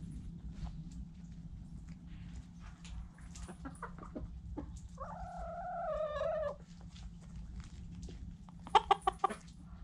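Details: White Silkie rooster recorded close up: scattered soft clucks and clicks, then a drawn-out harmonic squawk lasting about a second and a half, and a quick cluster of sharp, loud notes near the end over steady low background noise.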